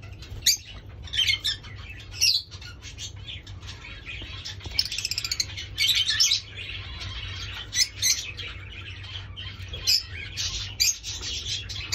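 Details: A fawn red-eyed Java sparrow gives high, sharp chirps and squeaky notes in irregular bursts, with a steady low hum underneath.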